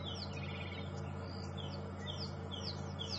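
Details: Oxpeckers overhead during a sunrise safari drive on 13 February 2015 give a run of short, high, thin clicking chirps, several each second, unlike their usual call, over a steady low engine-like rumble.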